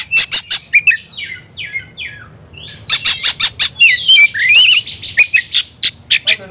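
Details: Oriental magpie-robin provoked into fighting mood, singing hard in ngobra fighting style: sharp repeated broadband chips, then short falling whistled slurs and a loud run of twisting, buzzy whistles with crisp chip notes.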